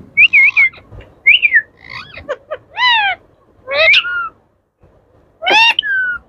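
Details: Pet Indian ringneck parrot, one of yellow, blue and green birds, talking: short whistled and harmonic voice-like phrases in bursts with pauses between, some rising and falling syllables.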